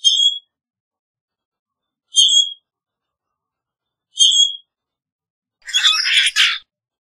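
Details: Common grackle repeating a high, brief squeaky chirp about every two seconds, ending with a louder, noisy grating squawk.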